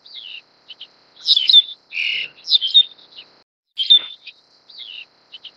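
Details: Black-collared starling while feeding its chick, giving scratchy chirps, a broad raspy burst and thin squeaky whistles in irregular clusters, with brief pauses between bursts.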